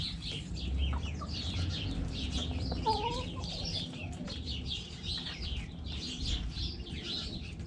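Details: Hens in a backyard chicken coop cluck, including one drawn-out wavering call near the middle, while wild birds chirp continuously overhead and a low rumble runs underneath.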